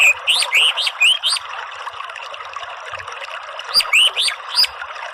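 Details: Orange-headed thrush (anis merah) from Indonesia, meant to coax chattering 'ngeriwik' into clear 'ngeplong' song. Two rapid runs of sharp rising chirps, each upswept and ringing, are separated by a pause, all over a continuous water-like rush.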